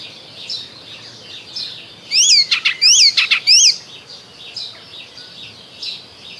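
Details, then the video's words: Icterine warbler spring song: three loud, identical sharp phrases of high slurred notes and clicks repeated roughly every half second, surrounded by a faint chorus of other birds. "Zaganiacz Wiosenny Ptaków Śpiew"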